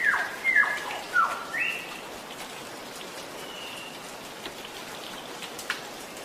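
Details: A young cucak rante, still in spotted juvenile plumage, gives a few short, sliding whistled notes in the first two seconds, then fainter chirps over a steady hiss like light rain.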